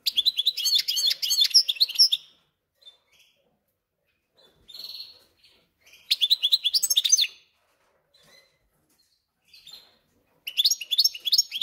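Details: Goldfinch and canary hybrid singing in captivity: three bursts of quick, chattering twitters and trills, each one to two seconds long, with soft buzzy notes in the pauses.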